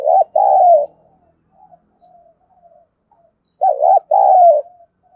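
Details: Spotted dove used as a decoy, cooing to provoke wild doves into answering. Two soft, low phrases about three seconds apart, each a short doubled note running into a longer falling coo, with faint trailing notes between.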